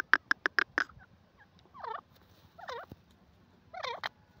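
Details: Francolin (teetar) call: four quick sharp clicks, then three looping, warbled phrases repeated roughly once a second, each twisting up and down through mid pitch.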